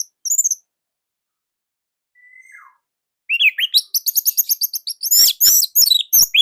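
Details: Indonesian orange-headed thrush in full song, tight and loud, offered as a model to prompt other thrushes to sing: brief high chirps, a faint thin whistle, then dense rapid whistled and chattering notes.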